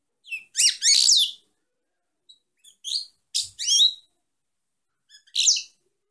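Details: A female European goldfinch sings short runs of sharp chirps and rolling twittered notes, grouped into brief clusters with soft single calls between, against a silent background.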